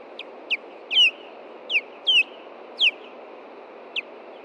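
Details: Osprey at its nest in Montana on 21 June 2013 at 9:45 p.m., chased back by an intruder and defending the nest: sharp, downslurred whistled chirps, about seven in under five seconds at uneven intervals, over a steady low background hiss.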